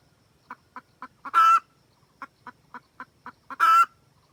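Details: Red junglefowl hen cackling to call a rooster: four spaced clucks build to a long loud harsh squawk, then after a short gap another run of clucks and a second squawk.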